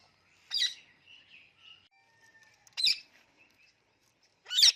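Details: Talking Indian ringneck parrot kept as a pet making sharp broadband clicks, three bursts spaced about two seconds apart, with faint soft whistled tones in between.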